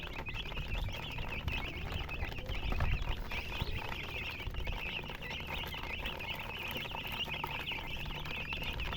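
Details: Baby chickens chirping continuously, a busy band of high peeps laid over fairly strong low-pitched rumbling and scuffling.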